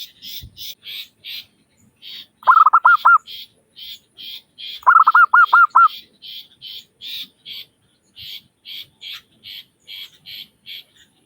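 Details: Lure recording of a lively local zebra dove: two loud runs of quick, rounded cooing notes, while another bird's high, steady chirps repeat throughout the whole recording.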